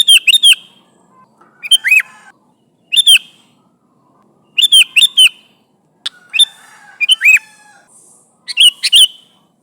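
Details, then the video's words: Sooty-headed bulbul, lively and chattering, calling its companions, used as a lure: bursts of three or four sharp chirps alternate with rising-falling slurred notes, repeated every one to two seconds. "Suara Burung Kutilang Gacor Memanggil Temannya"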